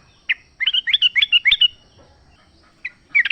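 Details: Brief burst from a wild sooty-headed bulbul: one clear chirp, then a quick chain of bright bubbly notes over about a second, a pause and two more chirps. Used as a lure for caged birds.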